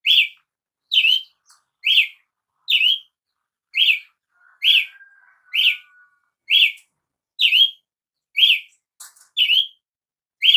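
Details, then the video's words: Long run of a Brazilian tanager's song: a dozen sharp, slurred chirps at an even pace of about one a second, with a faint thin whistle drifting in the middle. "canto de Tiê sangue"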